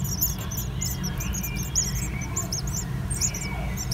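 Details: Great tit at a nest inside an old stove: a dense stream of sharp, high-pitched chirps and squeaks. A heavy, steady low hum runs underneath.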